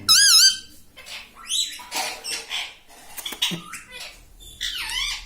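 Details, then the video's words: Rose-ringed parakeet kept as a talking pet, saying Mummy, Papa and Mitthu: a warbling, wavy harmonic call opens the passage, muffled rustling and soft sounds follow, then a second looping call closes it. "Mummy Papa Bolunga || Talking Parrot || Mitthu Mitthu"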